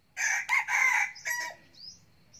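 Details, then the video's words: A young red junglefowl cock, a frequent crower kept as a decoy bird, gives one short, hoarse crow in several rasping bursts, ending in a thin trailing note, then faint high chirps. "Gà tơ siêng gáy, gà rừng mồi"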